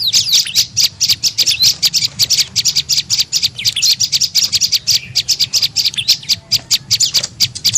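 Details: Tailorbird known locally as prenjak lumut, calling as a lure to attract birds: continuous bursts of shrill, rapid chirping and twittering, densely packed, briefly easing midway before resuming, with faint low background hum.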